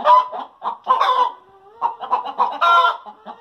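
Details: Hens cackling after laying eggs in a backyard flock: a loud run of harsh clucks, then a drawn-out rising 'kaa' note, then another rapid burst of cackles ending in a long squawk.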